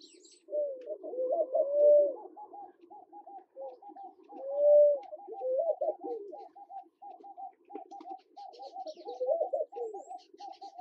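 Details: Namaqua dove calling in Kenya: soft low hoots that swell and fade, with a longer rising hoo near two and five seconds, mixed with a busy run of short chattering notes from other birds throughout.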